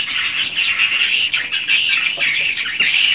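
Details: Swiftlet colony in a swiftlet house: harsh, buzzy chatter from numerous birds, swelling and fading in short waves over a few seconds, thick and unbroken.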